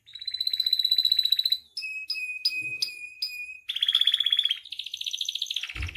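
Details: Captive canary song used as a master and provocation track to train and stir other caged canaries; fast buzzy trill, then a run of separate sharp whistled notes, another dense rolling trill, a falling trill, and a low thump at the end.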